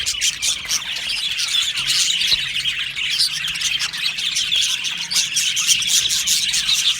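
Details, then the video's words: Crowded aviary of Australian budgies, an intense continuous chorus of shrill twittering and scratchy squawks, densely layered throughout. "Australian Budgie parrot chirping sounds"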